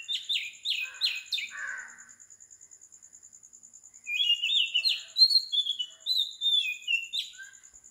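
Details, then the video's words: Oriental magpie-robin at 4 am in Sri Lanka: a burst of four or five rapid descending chirps, a pause with only a rhythmic insect trill, then a string of varied whistled phrases. "Magpie Robin Singing"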